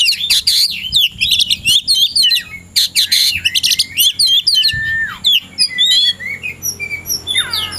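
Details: Oriental magpie-robin in the afternoon, said to be ready to fight a rival: a dense, loud, varied song of sharp chirps, rapid trills and whistled slurs, with a long descending whistle near the end and scattered squeaky notes.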